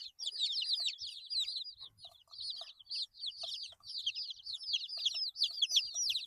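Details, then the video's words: Eight-day-old chicken chicks chirping together: many high, quick, downslurred peeps overlapping in dense bursts, with faint soft scratching and rustling sounds beneath. "Chicks Chirping Sounds - Baby Chicken Sounds"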